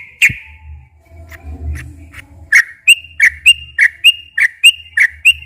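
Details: Sooty-headed bulbul song, used to provoke captive bulbuls into singing. After one loud note and a few quiet ones, a brisk run of clear whistled notes follows at about three per second over a faint low hum.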